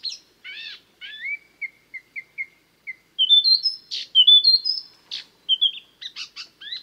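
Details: Chestnut-eared laughingthrush (Ianthocincla konkakinhensis), song.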